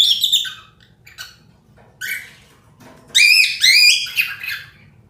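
Pet cockatiels chatter in bright, squawky chirps and short whistled notes that come in quick bursts.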